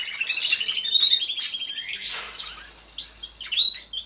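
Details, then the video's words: A group of canaries singing inside an aviary: high whistled notes and quick trills overlapping, growing softer with a noisy patch midway before sharp chirps resume near the end. "CANTO DE CANARIOS | AVIARY SOUNDS (SONIDO REAL DE UN AVIARIO DE CANARIOS)"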